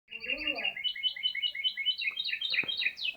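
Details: Canary with an unusual-sounding song: opens with soft, low warbling notes, then breaks into fast, ringing trills of short repeated syllables that step upward in pitch and end in sharp rising notes.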